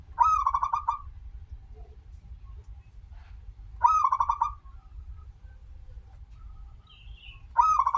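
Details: Local zebra dove singing steadily, valued for its long opening note, recorded as a lure to get others singing: three pulsed cooing phrases, each a bright first note then a fast trill of soft notes, spaced about 3.7 seconds apart.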